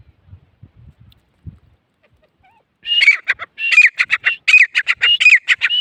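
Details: After soft rustling and low scratching, a grey francolin launches into a loud repeated call, strident clipped notes alternating with upslurred whistles, rolling on steadily for about three seconds.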